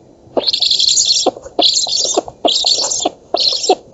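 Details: Black stork nestlings begging as they are fed, oak nest in Poland, August 2017; four long rasping wheezes, each close to a second, in steady succession.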